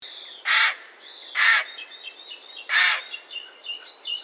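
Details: Common raven calling in the wild: three loud, harsh, hoarse croaks about one second apart, with thin whistled songs of small birds continuing between them.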